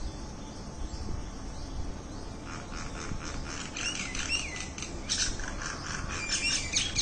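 A myna chatters in quick bursts of harsh, scratchy notes and a few bent whistles, thickening after the first couple of seconds over a steady low outdoor rumble.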